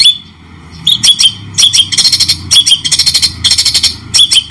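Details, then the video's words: White-rumped shama giving shrike-style training song with clear pauses: sharp high chips and short bursts of fast chattering notes separated by brief silences. "masteran murai batu cendettt mewah suara jelas jeda"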